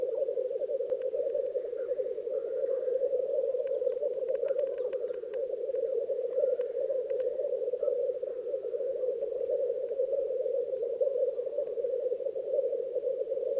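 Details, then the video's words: Black grouse lek at Krasny Bor during its most active phase, with females present: an unbroken, low bubbling chorus of rookooing, with faint scattered clicks and calls above it. "Тетерев. Самки на току. Black Grouse lek."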